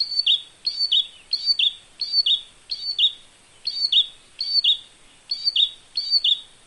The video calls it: Olive Backed Tailorbird Sounds